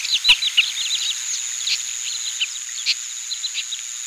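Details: Oriental pratincoles (Glareola maldivarum) in Pingtung County, Taiwan, on 20 April 2017, with several birds calling over one another in a busy chatter of short, sharp, tern-like notes above a steady high insect whine.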